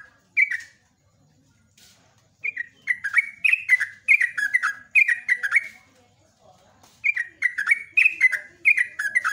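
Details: Long 'ropelan' morning song of a yellow-vented bulbul (trucuk), a lure for other birds: rich bubbly chattering phrases of falling notes, delivered in extended fast runs with brief silences between bouts.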